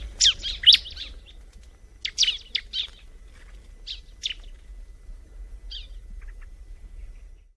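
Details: Bar-winged prinia singing in the wild: loud, sharp high chirps at the start, a second burst of quick notes after two seconds, then sparser single chirps fading into quiet.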